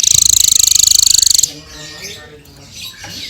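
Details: Hanging parrot, called srindit, recorded as a clear full song for tutoring other songbirds: a rapid dense high buzzy trill lasting about one and a half seconds, followed by quiet background murmur.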